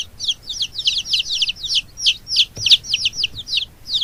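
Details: Several chicks keep up steady high peeping, thin falling notes repeated about three times a second, with a single soft knock partway through.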